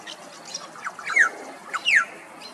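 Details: A male Australasian figbird, sexed by the bare red skin around its eye, sings in the afternoon: two loud, clear descending whistles about a second apart, with softer chattering notes around them.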